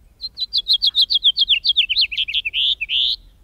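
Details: House Finch song: a fast, raspy, jumbled warble of high chirpy notes ending in two longer sharp buzzy slurred notes, typical in breeding season; nothing else heard.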